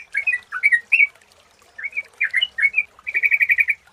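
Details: Sooty-headed bulbul lure song: clear slurred whistles rising and falling in short groups, a brief pause, more varied notes, then a quick string of about eight rapid repeated notes.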